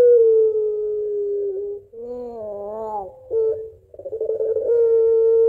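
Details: Barbary dove (Streptopelia risoria) giving a long coo, said to be calling its mate: a steady note wavers, dips lower, breaks into a rolling, laughing stutter, then settles into another long held tone.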